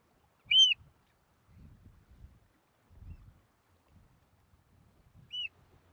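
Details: Eurasian oystercatchers nesting three yards from a road at Port Carlisle, Cumbria, on their second nesting attempt. Two sharp, high piping notes sound about five seconds apart, with soft low rumbles between them.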